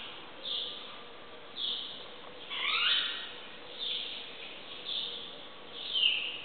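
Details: Dawn birdsong around 5am in a riad courtyard in Marrakech, Morocco: high short chirps roughly once a second, with one longer descending twittered phrase midway, over constant low noise.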